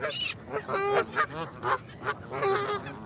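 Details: Single geese honk in short, nasal, harmonic blasts, about six calls spaced unevenly over three seconds against a quiet background.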